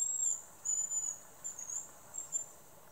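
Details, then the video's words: A male hazel grouse, recorded close up, whistles its song: thin, very high-pitched whistles, first a drawn-out note and then shorter thin notes in a quick series, repeated over a soft background hiss. "Свист рябчика"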